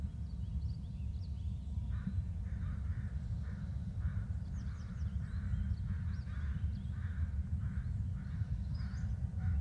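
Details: Bald eagle adults exchanging calls near their nest. A run of clipped, grating notes comes in quick succession after a quiet start, with scattered high squeaky chips over a deep, constant background rumble.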